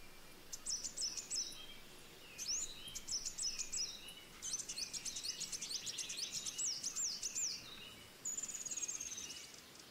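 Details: Pied fantail young being fed by the female give bursts of very high, sharp, rapidly repeated chirps, clustered in noisy flurries with brief pauses between them.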